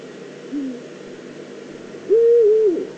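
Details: Eurasian eagle-owl, apparently a female, at the nest scrape in the Eifel on 22 September 2014: a brief quiet low hoot, then after a pause a strong, long call that wavers and drops at the end.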